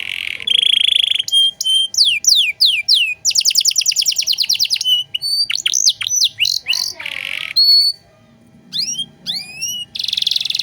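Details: Vigorous singing canary, luxurious phrases meant for teaching other songbirds: buzzy rolls, steep falling sweeps, a dense rapid trill, twisting whistled notes and a quiet pause before a final buzzing burst.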